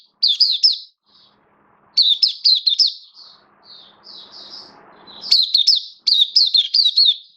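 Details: Oriental white-eye kept in the bird hobby, Kitaro, slightly off form, sings short rapid bursts of high twisting whistles, with quieter soft notes and a faint noisy hum between phrases.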